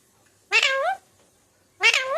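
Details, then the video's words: Talking parrot taught to say mummy and papa; two loud, clear, nasal voice-like utterances, each about half a second long with rising then falling tone, separated by a second of near silence. "Talking parrot"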